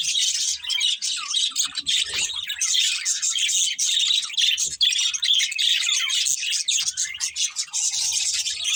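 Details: Pet budgerigars chirping in a steady, dense stream of high, scratchy warbles and quick twitters, several birds chattering over one another without pause.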